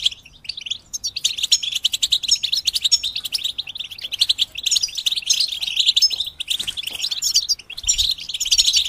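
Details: A group of European goldfinches sings together, meant to help moulting goldfinches start singing. The clip is a dense, continuous chorus of high, twittering chirps and liquid trills with rapid overlapping notes, and a brief quieter moment comes near the start.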